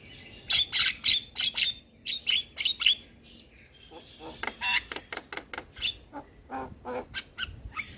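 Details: Javan myna singing in full, nodding while it sings, used to lure and condition moulting mynas; bursts of harsh, buzzy chatter with bright whistled notes, delivered in fast, uneven series with brief pauses.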